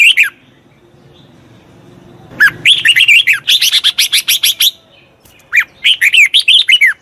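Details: Red-whiskered bulbul, a wild-caught bird being trained, sings loud bursts of rapid whistled and warbled notes. A short phrase opens, then after a quiet pause with a low hum comes a long chattering run, another pause, and a final whistled phrase.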